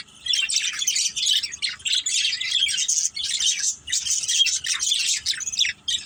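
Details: A group of pet budgies, described as a playing family, giving continuous raspy, high chattering and quick chirps in overlapping bursts with short dips between.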